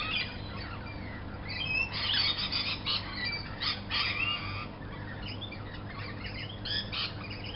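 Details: Morning chorus of lorikeets outside a window, waking the household like an alarm clock: overlapping harsh screeching squawks and shrill chattering notes, several birds calling at once in dense irregular bursts, with a steady low background hum.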